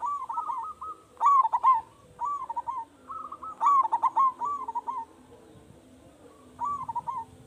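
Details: Big-voiced local zebra dove singing steadily as a lure for other doves to answer. Continuous string of purring, bubbling coo phrases, loud bursts mixed with softer trilled runs, ending with a lone phrase after a short silence.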